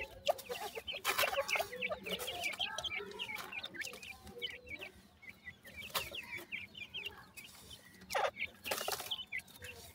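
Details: Several grey francolin chicks peeping together in a dense chorus of brief, high-pitched notes, busiest early on, with occasional sharp clattering bursts.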